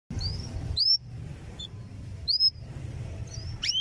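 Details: Canary song used as a training recording for young canaries: a few sparse, high whistled upslurred and downslurred notes with quiet gaps, over a steady low hum.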